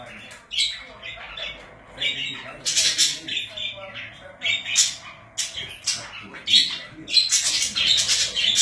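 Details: Indoor budgerigars squawking and chattering rapidly, harsh bursts following quickly after a quieter start, growing denser and louder toward the end.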